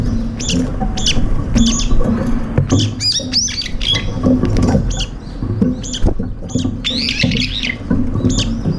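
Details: Brown-eared bulbuls, up to five birds gathering for a morning feed, squabbling and pecking each other over food; harsh, squealing calls sweeping downward, given in irregular bursts over steady low background rumble.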